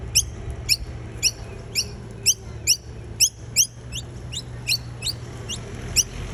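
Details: A noisy miner collecting nectar repeats sharp, high, down-slurred chip notes about twice a second over a low steady hum.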